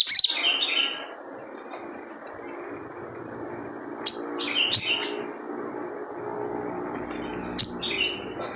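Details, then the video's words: Spiderhunter in the wild, its 'jrejet cuit' call serving as a lure: scattered high, piercing chirps, some with a short lower trailing note, separated by long gaps of low background noise. "Jrejet Cuit Suara Panggilan Khas Sogon Liar untuk pancingan sogon agar gacor"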